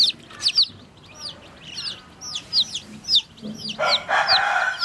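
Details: Baby chicks drinking water give a few high, falling peeps in loose succession, then a burst of broad, noisy rustling or clatter takes over near the end.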